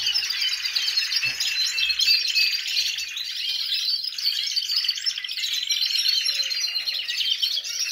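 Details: Flock of caged canaries in a large aviary singing together after moulting, ahead of the breeding season; an unbroken, busy wash of high trills, warbles and whistles, with a faint low thump near the start.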